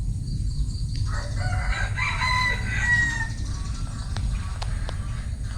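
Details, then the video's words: Bantam rooster's crow, a wavering harmonic call rising then tapering over about two seconds, set against steady low-frequency background noise and a few faint clicks. "Tiếng Gà trống tre gáy"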